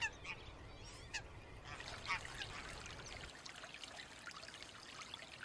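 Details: Greylag geese (Anser anser) flock honks and cackles in a busy, overlapping chorus of nasal calls, with a faint trickle of water underneath.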